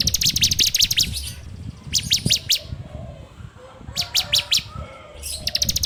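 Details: Bar-winged prinia (ciblek) song recorded on an Android phone, used as a lure for training birds: bursts of rapid high, sharp ticking notes alternating with short series of downslurred whistles, with low background rumble.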